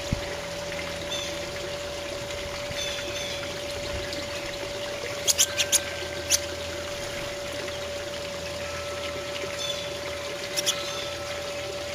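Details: A steady hum and trickling water, with a few sharp clicks near the middle and end, and no clear animal voice.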